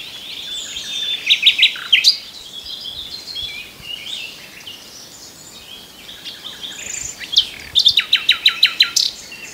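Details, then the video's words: Common nightingale song with two bursts of fast, evenly repeated loud notes, each about a second long, separated by softer, varied warbling and chirping phrases. "The best Birdsong movie ever starring the Common Nightingale"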